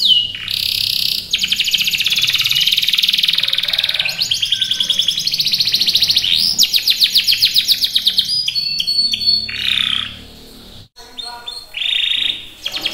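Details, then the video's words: Canary delivering varied trills and rolling phrases, loud and continuous, then broken into short bursts with brief silent gaps near the end. "Kicauan Burung Kenari"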